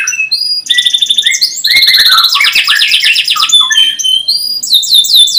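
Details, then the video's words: Canary song played as a lure for young birds learning to sing: short whistles lead into long rapid trills and rolling chattering runs, finishing with quick rising and falling sweeps. "Kenari gacor panjang cuit cuit,pancingan kenari paud AGAR Bunyi,terapi ampuh kenari macet"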